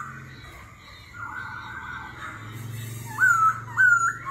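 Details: Laughingthrush, likely a captive songbird singing forest-style contest song with continuous voice changes, gives a buzzy, rasping phrase, then two loud clear whistles sliding downward about half a second apart, over a faint low hum.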